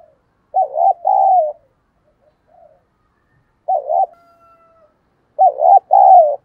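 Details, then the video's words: Spotted dove cooing to provoke fighting, a fast stirring call: three bursts of low, mellow, wavering coos, each phrase a short rolling note followed by a longer drawn-out one, separated by about two seconds of quiet. "cu gáy thúc đấu"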